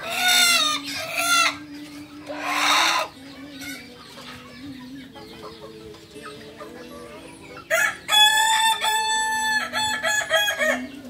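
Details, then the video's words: Kukuak Balenggek rooster, an ornamental crowing chicken from Solok, West Sumatra, drying in the sun after a bath: harsh harmonic crow bursts near the start, then a long stepped crow from about eight seconds, over steady background music. "Ayam kukuak balenggek ayam hias dari solok sumbar"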